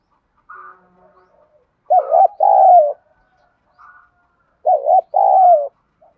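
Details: Spotted dove 'đồng thổ' voice used to get caged decoys cooing quickly: short quiet hoots, then two loud phrases about three seconds apart, each a wobbling double note followed by a longer dropping coo.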